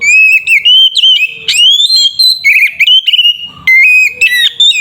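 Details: Loud, continuous whistling from an Oriental magpie-robin singing its tarung fighting style meant to agitate rival birds: ringing sustained whistles, quick upward sweeps and clipped chattering notes, strongly distorted by overloaded recording.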